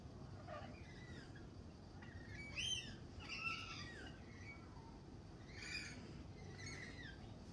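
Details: Spring lorikeets at a cafe: a series of shrill, harsh screeches with bending, warbled pitch in separate bursts, the loudest at about three seconds and again near six, with faint low rumble beneath.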